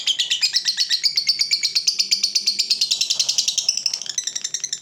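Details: Lovebird of fighter type performing its long ngekek, a masteran recording for other birds: a fast, unbroken stream of shrill clicking notes that loosens slightly near the end.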